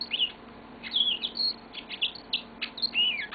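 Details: Pet yellow-fronted canary indoors singing a short burst of high, clear whistles and sharp chirps, some notes sliding upward.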